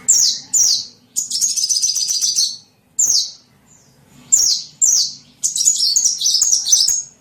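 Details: Small bird calls for luring other birds: sharp descending chip notes mixed with bursts of rapid, high twittering chatter, irregularly spaced with silent gaps.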